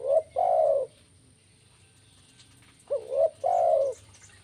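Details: Spotted dove, used for luring birds, giving a low cooing phrase twice: a short rising coo then a longer, steady, slightly falling coo, separated by about three seconds of quiet; faint constant high whine in background.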